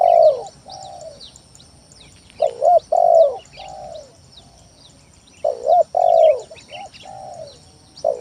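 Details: Spotted dove lure song, played to stir sluggish doves into singing: mellow cooing phrases of soft notes building to loud doubled coos, repeated about three times. Busy high-pitched twitters of other birds behind.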